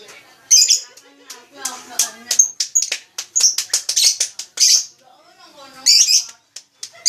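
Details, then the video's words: Lovebird chattering in a fast run of shrill, squeaky twitters and clicks, with low background voices underneath. "Suara burung lovebrid"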